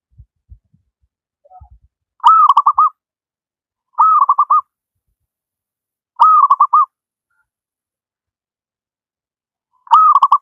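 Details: Wild local zebra dove in full song for training doves that rarely sing: four cooing phrases roughly every two to four seconds, each a held note breaking into rapid rolling pulses; faint low taps at the start.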